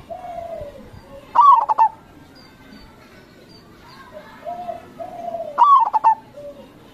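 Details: Local zebra dove singing a crossing-style song, played as a lure for other local doves: two loud cooing phrases about four seconds apart, each a short rising note then three or four quick pulsed coos, with faint calls between.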